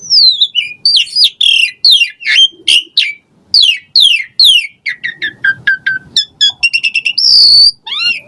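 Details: Chatty Asian pied starling delivering varied song meant to stimulate caged birds: a fast run of steeply falling whistled notes, then quicker clipped chirps, a short harsh burst and a final rising whistle.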